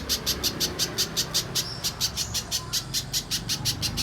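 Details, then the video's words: Short stretch of pijantung pisang spiderhunter song in mbeset style for contest training: crisp high chips repeated quickly and evenly, with a faint thin whistle slipping in near the middle. "Top Masteran Burung Pijantung Pisang Mbeset Suara Jernih Yang Disukai Juri Lomba"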